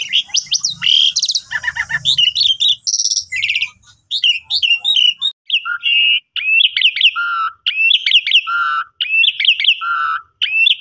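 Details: Asian pied starling master song for training cage birds, loud and continuous: harsh rasping bursts at first, then repeated bright whistled phrases, each ending in a lower slurred note, recurring roughly every one to one and a half seconds.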